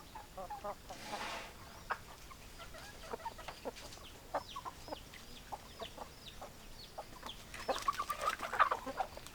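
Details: Hens and roosters together: a steady run of quick, uneven clucks, some thin higher chirps in the middle, and a louder burst of squawking clucks near the end.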